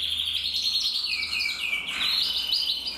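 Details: Red-black canary males, an intensive and a frosted bird, singing together in a fast rolling trill that dips and rises, a shimmering high chatter of rapidly repeated notes.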